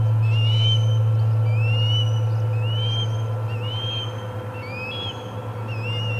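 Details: First food delivery of the day at the Charlo osprey nest, 25 August 2020: a rapid, regular run of about seven sharp rising whistles, roughly three per second, with a persistent deep hum underneath.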